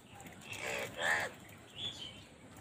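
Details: Crow calling in a village: two harsh, broad caws in quick succession, the second louder, then a shorter, softer third caw after a brief pause, with faint outdoor background noise.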